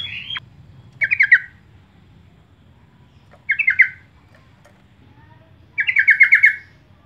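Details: Sooty-headed bulbul calling as a lure to attract birds. Three separate rattling bursts of quick, buzzy notes, the last one longest with about seven notes, spaced by quiet gaps and a faint low hum.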